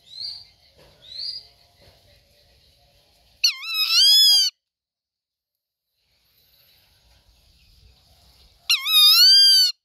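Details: Two short upslurred whistles, then a pause, then the rufous-winged buzzard's loud harmonic scream, about a second long and wavering up and down. It is repeated after several seconds of near silence.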